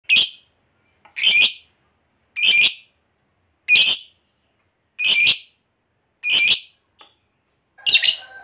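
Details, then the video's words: Lovebird of the fighter type kept by bird hobbyists, its sound used as bait to make quiet lovebirds sing: harsh, high, rasping single calls repeated about every 1.2 seconds with silence between them. "SUARA BURUNG LOVEBIRD NGEKEK PANJANG"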